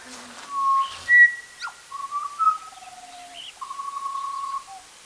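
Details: A butcherbird in the Western Australian desert gives pure, flute-like whistles: short slurred notes, a quick upward flick, then long steady tones, some sliding gently downward, against a quiet background.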